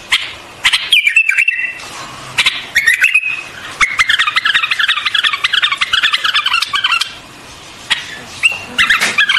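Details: White-eared bulbul song with short fluty warbled phrases and a long stretch of rapid harsh chattering notes, ending with another brief whistled phrase.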